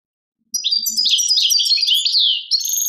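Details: Goldfinch song recorded in Tadmait, Algeria: a dense, jumbled stream of high twitters, tinkling notes and quick slurs, continuous throughout, with a few faint low knocks near the start.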